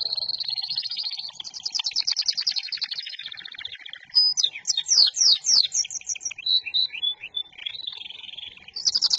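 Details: Local canary singing loudly: long high rolling trills, then a run of sharp descending chirps and quick twittering notes, ending in another bright trill.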